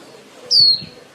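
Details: White-eye female used as a lure bird to call the flock for trapping, giving one bright high whistled note gliding downward, with faint low background sounds.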